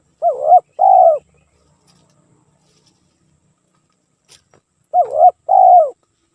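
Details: Spotted dove calling nonstop as a lure song: two low cooing phrases about five seconds apart, each a brief dipping-and-rising note followed by a longer, smooth falling coo, with near silence between.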